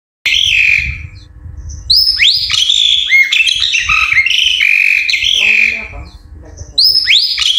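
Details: Ashy drongo song used as a stimulus to make caged birds sing, delivered with pauses: loud, varied whistled and slurred notes with sharp rising and falling sweeps, some harsh squawky phrases, over a low rumbling background.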